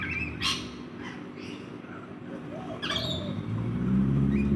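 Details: Backyard rainbow lorikeets at a feeding spot let out two sharp, grating screeches a few seconds apart, with brief chirps between them as low vehicle rumble builds toward the end.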